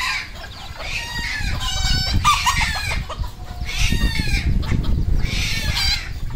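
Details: Red junglefowl kept on a Cambodian farm, calling in a series of raspy, harmonic bursts about a second apart, over thumping low-frequency noise and general farmyard background.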